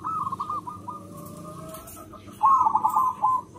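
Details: Local zebra dove with a big voice, its song used as a lure: a wavering coo run, then a long steady drawn-out tone, followed by a loud fast rippling phrase of coos.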